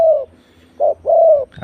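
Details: Spotted dove used in decoy luring (ต่อกิ่ง) at site number 41. Brief, close coos: one falling note, then a short note and a longer, slightly drooping coo, with a quiet low hum behind.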